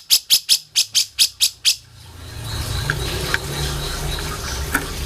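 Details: Grey-cheeked bulbul in a mastering recording: eight loud, harsh, clipped notes in quick succession over two seconds, followed by quiet hiss with faint scattered chirps.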